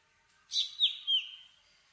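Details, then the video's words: Black drongo giving a short phrase of three notes: a harsh noisy opening followed by two clear downslurred whistles that trail off, all high-pitched and lasting under a second, against a quiet background. "Black Drongo Song ! Black Drongo Call ! Black Drongo Sound ! Black Drongo Vocals ! Voice ! Singing"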